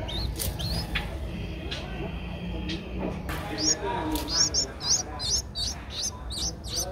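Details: Eleven-day-old Streak-eared Bulbul chick in Ubon Ratchathani, Thailand, 13 April 2023. Scattered high squeaks turn into a fast series of rising, hooked notes after three and a half seconds, against a low background murmur.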